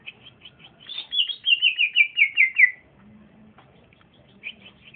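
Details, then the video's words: Young male green leafbird singing in trotolan style, bold when placed beside another bird: short high whistled notes, then a loud run of about eight quick descending chirps, a pause and a few faint notes. "c ijo trotolan jantan masih muda udah bunyi mantap di gandeng berani"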